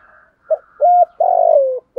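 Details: Cooing decoy spotted dove, 'giọng thổ' style: a short pip, a steady clear coo, then a drawn-out rolling coo that drops in pitch, with a faint higher hum behind and the start of another coo.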